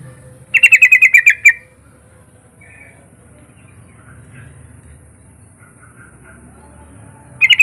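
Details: Yellow-vented bulbul song played as a lure to prompt other bulbuls to sing: a bubbly burst of about eight quick, bright notes lasting a second, softer notes afterward, and another burst starting at the end; low background hum.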